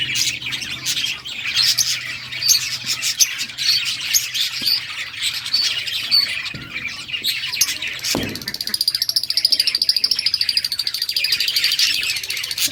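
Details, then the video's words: Playing budgies chatter with busy overlapping chirps and squawks; about two-thirds through a clunk is heard, after which a steady buzzy pulsing tone joins the chirping. "Budgies playing and chirping"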